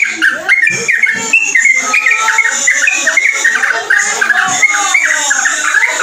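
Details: Yellow-vented bulbul (trucuk) singing a unique mixed song (ropelan): a dense, continuous stream of short chattering, slurred notes with bright upward and downward inflections, almost unbroken throughout.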